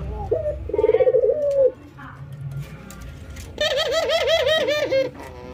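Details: Ringneck doves, albino white and local, in training, nodding and laughing: a low rolling coo with a rapid pulsing middle, then after a pause a fast run of bright wavering notes rich in overtones.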